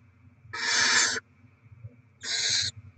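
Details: On 07/02/2024, as rodents are delivered to feed the barn owl young, two rough hissing screeches sound about 1.5 seconds apart over a faint hum.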